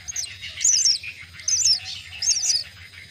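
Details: Myna chicks at a nest being fed give high, harsh, squealing begging bursts, about one burst every second, over a faint low rumble.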